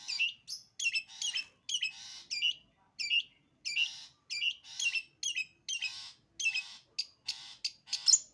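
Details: Long-tailed shrike sembur-style song, a steady run of short, scratchy, buzzy phrases about two per second, each a harsh chattering burst with rasping overtones, in a quiet setting.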